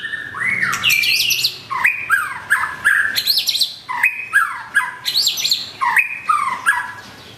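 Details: White-rumped shama, murai batu, in full song calling out a rival; loud phrases of sweeping whistles and rich descending slurs with high overtones, repeated roughly every second in bursts, clean and forceful.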